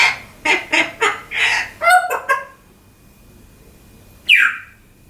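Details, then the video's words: Pet African grey parrot indoors, talking and making funny sound effects: a run of six quick squawky, voice-like syllables, then silence and one sharp falling whistle. "African Grey Parrot Called Deka - Talking & Making Funny Sound FX"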